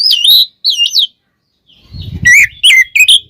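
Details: Oriental magpie-robin (kacer) song as a singing lure: two looping whistled phrases, a pause, a brief low rumble, then rapid sharp chirps and downslurred whistles.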